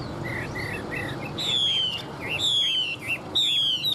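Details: Hwamei singing in a song contest: soft repeated two-note chirps give way to louder, clear whistled phrases that slide downward and roll into looping, wavering notes, over a steady background hiss.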